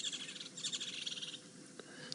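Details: Woodland Kingfishers, unseen but not far off, on a morning game drive in South Africa, 3 December 2016: a fast, high-pitched chattering for over a second, a call usually given when a male and female share an area, then quiet.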